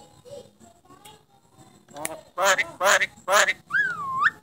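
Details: Contest-champion starling said to talk, heard after a quiet start as three loud, voice-like harmonic bursts in quick succession, then a clear whistled note that falls and rises again, indoors.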